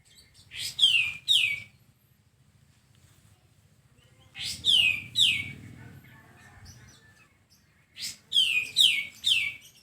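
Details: Sooty-headed bulbul, used as a tutor recording to make a caged bird sing sooner: groups of two or three sharp, falling, buzzy notes come in bursts about every four seconds, with quiet pauses and a faint low hum between.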